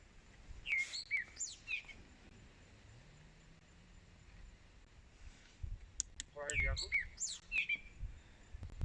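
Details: A Groundscraper Thrush, in a tree directly above a spotted hyena den in Mala Mala Game Reserve and singing incessantly, gives two bursts of quick, bright, chirpy whistled notes several seconds apart, over a low rural background with a faint voice.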